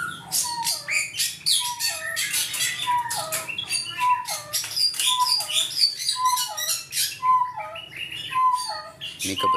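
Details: Crested partridge (forest quail) in an aviary calling loudly to seek its mate when the partner is not nearby: soft, mellow falling whistles about once a second amid high chirps and twitters of other aviary birds; Crested partridge.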